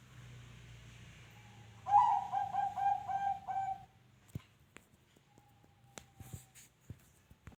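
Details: Zebra dove uttering a brief burst of five or six bubbling, rolling coos in the middle of the recording, followed by sharp clicks and knocks and one faint drawn-out tone over a low hum.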